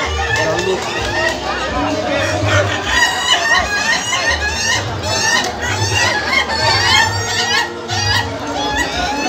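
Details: Contest final for laughing chickens (ayam ketawa) in Indonesia: overlapping roosters produce rapid, irregular cackling crows with bright sliding harmonics, accompanied by low crowd talk.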